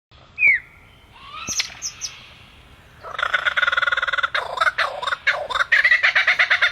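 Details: A bird calling: a few thin whistled notes, one sliding downward, then from midway a fast series of harsh, buzzy, harmonic notes repeated several times a second, growing louder toward the end.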